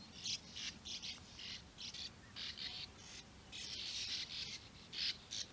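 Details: European bee-eaters near their nesting burrows in the flat open landscape of Puszta Eldorado; short burry rolling calls repeat in quick bursts, often two or three together, with quieter gaps and a soft outdoor background.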